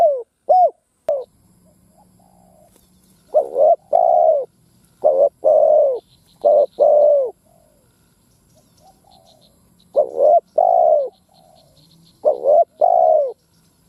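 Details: Ground decoy spotted dove cooing to stir wild doves to fight; repeated phrases of paired short coos followed by a longer falling coo, spaced by quiet pauses, with faint distant chirps from other birds.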